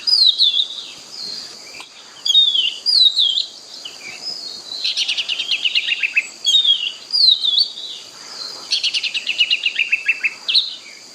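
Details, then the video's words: Oriental magpie-robin in forest, delivering sweet slurred whistles that alternate with fast stuttering trills, the phrases returning every few seconds over a faint steady high hiss. "suara burung kacer di hutan"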